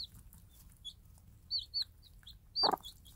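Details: Free-range game hen mother with day-old Minorca cross chicks: thin, high downward peeps from chicks come in scattered bursts, with a single low, throaty cluck from the hen near the end over faint background hiss.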